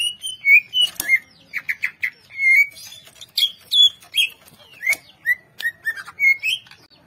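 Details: Cucak ijo (green leafbird) singing a lively, melodious song: a fast run of varied whistled and chirped phrases, sliding notes and short trills, with some harsh clicks mixed in, delivered almost without pause.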